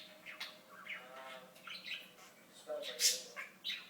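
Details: Pet talking budgerigar giving rapid, raspy mimicked speech: buzzy syllables in quick bursts with a sharp high squeak near the end.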